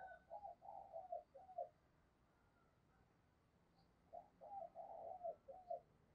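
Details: Decoy spotted dove luring wild doves with faint, low cooing. Two bursts of rapid, rhythmic hooting notes are separated by a quiet gap, set against a hissing background.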